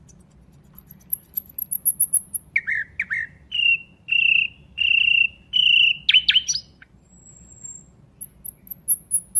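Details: Nightingale song opening with a very high, thin run of rapid repeated notes that slowly falls, then several loud, slurred whistles about a second apart, a burst of chips, and another thin high trill.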